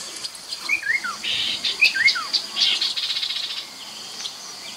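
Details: Chestnut-capped babbler by the Mekong River, Nakhon Phanom, Thailand, 2021, used as lure sound: two slurred whistles dropping in pitch, then a fast buzzy pulsed trill, with insect hiss throughout.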